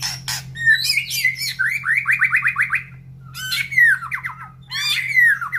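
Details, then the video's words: Caged white-rumped shama in breeding condition, placed beside breeding cages, sings rich varied phrases: sweeping notes, rapid runs of repeated falling whistles, pauses, then more downward-slurred series, over a steady low hum. "Ocehan Murai Batu"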